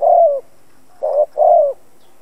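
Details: Decoy spotted dove kept to provoke other doves into calling. Three low coos: a long, gently falling note, a short rolling one, then another long descending coo, in near silence.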